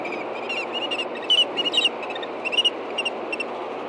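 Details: Osprey pair at a nest cam in Hellgate Canyon, Montana, during the last mating of the day at 8:39 PM on April 28, 2014: series of sharp, high chirping whistles in short bursts over a steady broadband hiss.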